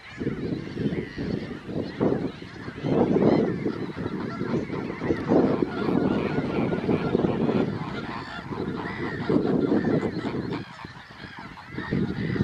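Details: Glossy ibis uttering a long run of low, rough, croaking grunts in uneven bursts, some merging into longer guttural phrases, with a faint chorus of higher bird chatter behind.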